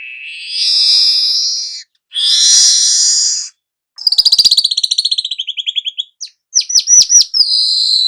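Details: Young weaver singing continuously as a lure for training other birds: buzzy rasps, then a rapid ticking trill that slows and fades, then looping high whistled notes.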